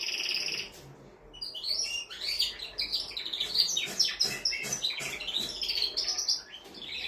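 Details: Canary song from a male stimulating a female to mate: a short high trill, a brief pause, then dense, rapid warbles, chips and rolling trills continuing steadily over faint background hiss.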